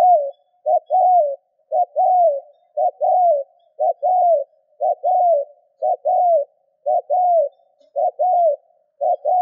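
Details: Spotted dove call played to stimulate other doves to call: a steady run of about ten phrases, roughly one per second, each a quick double rising note followed by a longer falling coo, with no other sounds.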